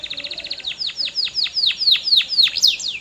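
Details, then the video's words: Canary song: a fast run of about ten short downward-sweeping high notes, then slower, louder descending sweeps repeated roughly four times a second, all high-pitched and clear. "CANARY GOES CRAZY! 🔥 Powerful Singing Sound"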